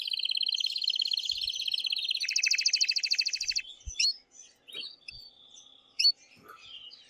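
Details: Male canary singing hard to stimulate the female to mate, with two long rapid rolled trills, the second higher and louder, followed by scattered chirps and short notes.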